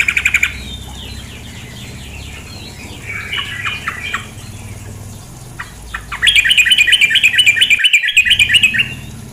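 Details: Female sooty-headed bulbul voice: an opening harsh burst, a stretch of quieter scratchy chattering, then a prolonged rapid buzzing rattle of regular pulses, against a steady background of running water.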